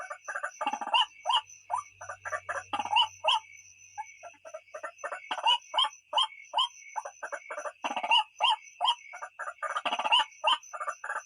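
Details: White-breasted waterhen (ruak-ruak) night-luring call: irregular, crowded harsh croaks in bursts and brief pauses, with a steady high-pitched whine throughout and a faint low hum early on.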